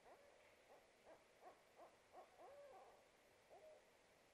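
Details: Barred owls hooting in a duet during an incubation break at a nest box 30 feet up a pignut hickory in a wooded backyard, April 2, 2018: rapid mid-pitched hoots, two or three a second, breaking into slurred, drawn-out notes.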